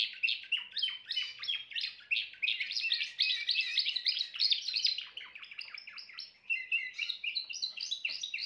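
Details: Timbrado canary with continuous warbling trills, a quick rolling series that dips briefly near the sixth second before resuming with clearer, spaced notes.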